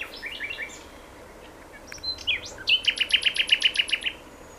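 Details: Common nightingale song: soft chirping notes, a pure whistle, then a loud run of about a dozen rapid, evenly spaced chooking notes repeated almost four times a second.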